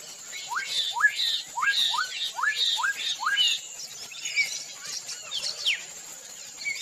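A Black-capped donacobius gives a fast run of about eight loud, rising whistled notes, roughly three per second, then scattered higher notes over a steady high insect hiss.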